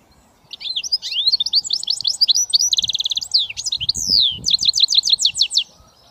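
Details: Goldfinch mule, hybrid British finch, sings a long varied phrase: rapid twittering, a metallic trill, a loud drawn-out descending whistle, then a series of evenly spaced sharp chirps.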